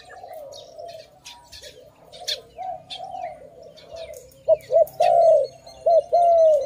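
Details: Dove at a bird-trapping site: quiet overlapping cooing from several birds and a few faint chirps, then a nearby dove delivers a run of loud, low coos, short clipped notes building into long drawn hoots.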